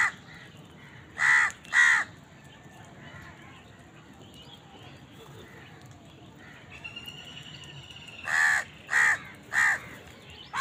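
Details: Crows eating and contending for food: a pair of sharp harsh caws, several quiet seconds with faint distant calls, then three more loud caws in quick succession near the end.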